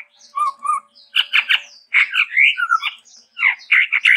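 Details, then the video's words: Chestnut-rumped babbler, endemic to Sumatra, in full varied song: paired whistled notes, then loud harsh chattering bursts and warbled phrases in quick succession. "Stachyris maculata !!! TEPUS TUNGGIR MERAH GACOR VARIASI - BURUNG ENDEMIK SUMATRA"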